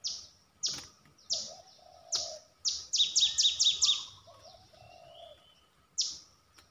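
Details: Streak-eared bulbul song: a run of high, bright notes, each sweeping quickly downward, given singly and then in a rapid burst of five or six. Softer low warbled notes sit underneath.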